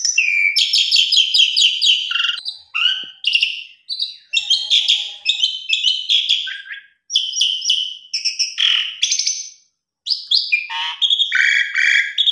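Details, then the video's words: Long stretch of Asian pied starling fill-in song, used to push a lazy or stressed starling to sing: dense rasping chatter blended with high whistles and trills, interrupted by a few short gaps. "Jalak Suren Isian Mewah Cocok Buat Mendobrak Jalak Suren Malas Bunyi/Stres"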